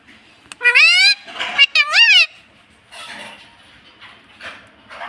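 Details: Pet ring-necked parakeet in India saying "mummy": two clear, voice-like rising and falling syllable groups in quick succession, followed by quieter room noise.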